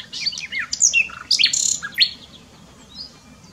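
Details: Nightingale song recorded in Dohr, Eifel, Germany: a loud, varied phrase of sharp whistled slurs and piercing high notes over about two seconds, followed by quieter fading whistles over faint low background rumble.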